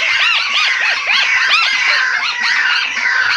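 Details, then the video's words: White-browed crake calling, recorded for luring birds: a steady, overlapping run of high, squeaky, arch-shaped notes. The chattering is busiest in the first half, then stays a dense, even babble to the end. "masteran burung tikus tikusan alis putih cocok untuk pikat"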